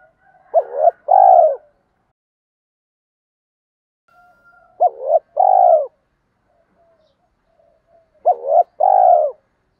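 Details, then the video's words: Spotted dove call played to excite male doves while training decoy birds; three clear cooing phrases roughly every four seconds, each a brief clipped note then a fuller drawn-out coo, with faint quiet murmurs between. "tiếng chim cu gáy kích bổi mới và tập mồi hiệu quả"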